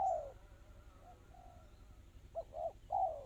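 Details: Spotted dove in the crystal tekukur style: a long falling coo, soft fainter notes, then a clear double coo and a final drawn-out coo, close and quick.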